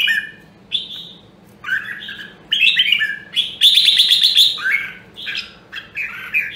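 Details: Red-whiskered bulbul of the rare Nam Dong, Hue voice line in training: scattered short whistles build to a loud, buzzy, trilled outburst mid-clip, followed by a few clear slurred phrases.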